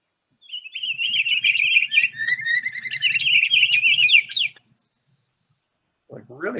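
Pine Grosbeak singing a rich, continuous warble of quick whistled notes, rising and falling for about four seconds; a man's voice begins at the end.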